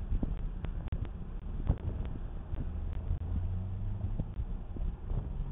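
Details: Low traffic rumble and wind with scattered clicks, but no bird calling.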